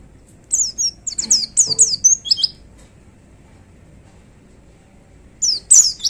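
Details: Caged white-eye with short 'tembakan' song phrases: a quick cluster of high, thin, down-slurred whistles, roughly four seconds of quiet, then a brief loud flourish of sharp chirps.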